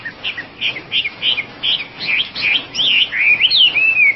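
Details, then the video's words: Oriental magpie-robin (wambi) singing: a run of short chirps and slurred notes that builds into longer, louder wavering whistles toward the end. "kompilasi suara wambi gacor komplit"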